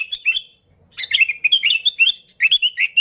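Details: Sooty-headed bulbul in active song, an unmixed recording used as a lure: a fast, continuous chatter of liquid, warbled notes rising and falling, with a brief pause near the start.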